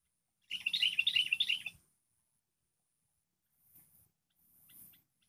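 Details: Wild sooty-headed bulbul reacting to a lure bird in a trapping session, one lively burst of bubbly warbled chatter lasting just over a second, then near silence with faint noises.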